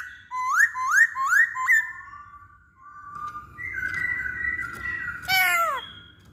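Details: Masked laughingthrush lure song for getting other birds to sing. Four quick upswept whistles come in a row, followed by longer drawn-out whistles and a falling harsh note near the end.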